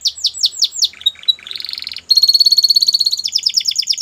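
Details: Belgian canary singing, played to coax a canary into song: falling whistled slurs, then a short scratchy buzzy passage, a pause, and a long rapid high trill ending in quicker sweeping notes.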